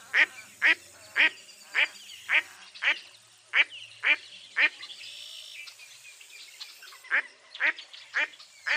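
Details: Mottled duck quacking in a regular series of harsh notes, pausing for about two seconds midway while a faint murmur fills the gap, then resuming the rhythmic quacks.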